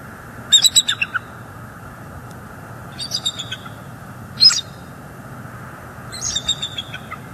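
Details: Wild bald eagles at a northeast Florida nest camera on 18 December 2022, with a juvenile and an adult female chasing other juveniles off. Four separate bursts of thin, high staccato chittering notes are spaced a few seconds apart over a steady background hiss.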